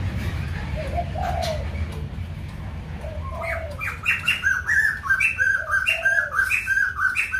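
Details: White-crested laughingthrush singing at Kbang: after a few soft low notes, a loud chattering chorus of rising and falling whistled phrases builds up and repeats rapidly over a steady low background rumble.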